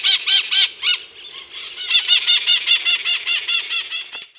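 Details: Scaly-headed parrots calling at Fazenda Experimental in Monte Alegre do Sul, São Paulo, Brazil: a rapid run of raspy, screechy notes, about two or three per second, briefly pausing before a long steady burst that fades out.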